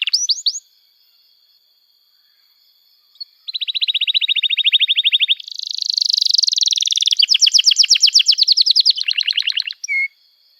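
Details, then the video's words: Canary song used as a lure to teach young canaries to sing and to revive silent birds: long, emotional, full-voiced song of rapid trilled rolls at high pitch, buzzy bursts and sliding whistles, after a three-second pause. "Kenari Gacor Panjang Cuit Cuit Emosi, Pancingan Kenari Paud Belajar Bunyi, terapi ampuh kenari macet"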